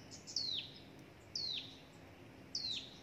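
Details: Hill prinia nestling, fed a gecko and a grasshopper by its parent and left close to death. Three piercing, sharply falling whistled squeals come about one per second over a quiet background.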